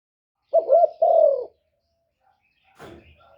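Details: Spotted dove call used to lure wild doves: a low, hollow coo in two linked parts, a wavering first note running into a longer, slightly falling second one, followed after a pause by a brief dull knock.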